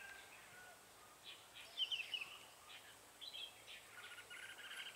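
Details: Decoy red-whiskered bulbul at a trapping site, 7 January 2017, calling to draw in wild birds. Faint, short whistled and chattering phrases come in scattered bursts against constant outdoor hiss.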